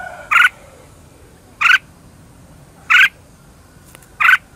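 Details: Red-whiskered bulbul used as a lure bird, giving a fighting song to stir other bulbuls into singing. Four short, harsh, burry notes arrive one by one, about every 1.3 seconds, over a quiet background hiss.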